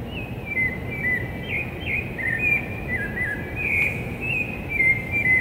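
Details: Rufous-bellied thrush singing before dawn in São Paulo city, Brazil, on 11 September 2017: clear whistled phrases, slurred up and down, given in a steady unhurried series over a low hum of urban traffic.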